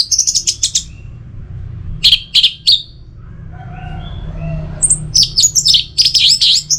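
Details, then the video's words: Orange-headed thrush song played as a lure to get caged birds singing steadily in rainy and dry seasons: bursts of rapid, high chattering notes, a brief pause with softer fainter phrases, then a dense run of sharp, varied twittering. A low hum underneath. "Pemancing Burung ANIS MERAH Agar Selalu Gacor"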